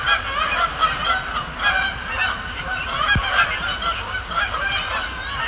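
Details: Night-time Canada geese at Sapsucker Woods Pond during fly-overs and splash-downs; dense repeated honking from several birds, one sharp click midway, low rumble in the background.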